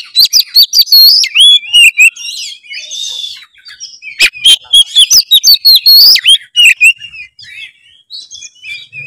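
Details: Lure song of an Oriental magpie-robin in full voice: long bursts of rapid, varied whistled phrases, harsh buzzes and sharp clicks, broken by brief quieter scratchy passages, with no other sounds.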